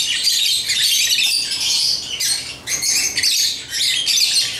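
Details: Busy, high-pitched twittering and squawking from African lovebirds with toys runs almost unbroken, swelling and dipping slightly in loudness.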